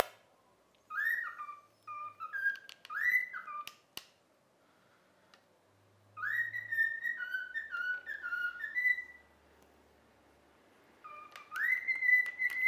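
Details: Indoor pet cockatiel performing a learned tune, "If You're Happy and You Know It": short bursts of swooping whistled notes, a quiet gap, then a longer descending run and a final rising whistle, with faint clicks.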